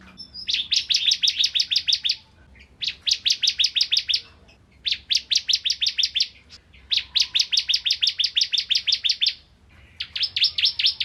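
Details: Bar-winged prinia in full song, used as a tutor recording for training magpie-robins; rapid trains of bright, high, clipped chirps in bursts of roughly eight to twelve notes, each burst followed by a brief gap.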